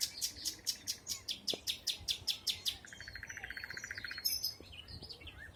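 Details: Forest birdsong from spring 2020: loud sharp chips repeated about two or three per second, overlapped by a fast dry trill of rapid even notes, with faint twittering behind.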